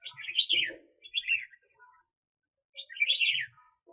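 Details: Decoy red-whiskered bulbul used for bird trapping, 2021: loud, slurred warbling phrases rising then falling, a short middle phrase, then another full warble after a pause, with faint low knocks beneath.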